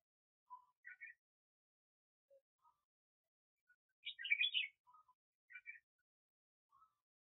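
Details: Decoy red-whiskered bulbul used for bird trapping: scattered soft notes, then a loud tumbling phrase of chirpy warbled notes, followed by a few quieter short calls.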